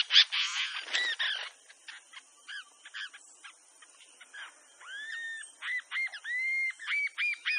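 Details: Bronzy jacamar (Galbula leucogastra) song: thin, high whistled notes, some rising then falling in arched slurs, repeated rapidly after a burst of harsher chattering.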